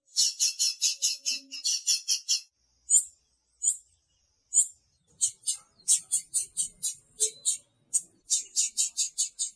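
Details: Female blue-black grassquit calling to excite the male: bursts of rapid, high, scratchy notes that break into spaced single chips, then resume as quick runs, with faint background noise.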